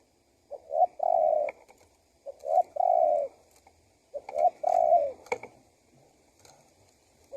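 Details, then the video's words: Spotted dove cooing used to attract wild doves: three phrases of short rising notes followed by a long flat coo, spaced about two seconds apart, with a few sharp clicks and quiet after. "SUARA TEKUKUR GACOR PALING AMPUH UNTUK PIKAT BURUNG LIAR"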